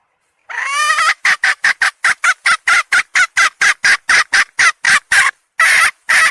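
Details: A hen gives a long, rasping call and then a fast series of about eighteen sharp, abrupt clucks, evenly spaced, briefly pausing before two last squawks. Nothing else is audible.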